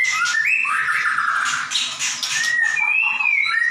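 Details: Continuous 'gacor nembak' song of a white-rumped shama, used as a training recording for other birds: rapid fluttering and buzzy notes, then clear sliding whistles, some rising and others wavering, delivered loudly without pause.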